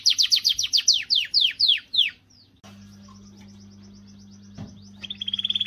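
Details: Canary song meant to stir females: about ten loud down-slurred whistled notes in quick succession over two seconds, then a faint steady hum with a low mechanical drone, ending in a rapid high trill.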